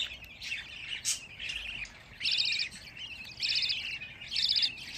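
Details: Softer chirping from fifteen captive budgerigar chicks. Three louder buzzy bursts rise out of a low, rough background chatter.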